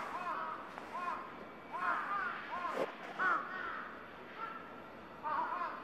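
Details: A flock of crows back at their roost in the evening on Gaikotsu mountain, in woodland. Hoarse, harsh caws come in several bursts of overlapping calls, with short pauses between them.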